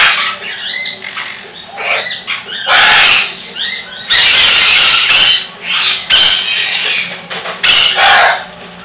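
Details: A military macaw at a parrot rescue shelter in Creston, Illinois, gives soft chattering and whistled notes, then five or six loud, harsh, grating squawks in irregular bursts.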